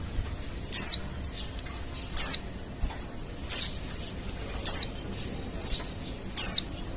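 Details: Wild Oriental white-eye sound used to prompt other white-eyes to reply: thin, high, down-slurred whistles repeat roughly every one to one and a half seconds. Fainter echoing notes follow some of them against a quiet backdrop.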